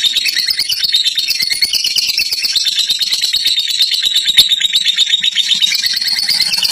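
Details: Long ngekek of a fighter lovebird, an unbroken rapid rattling chatter of shrill, high notes with faint low room sounds underneath.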